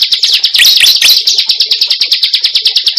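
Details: Cible bird lure sound: a fast, regular, high trill of short ticking notes, about three a second, with a short burst of louder squeaky whistles near the start.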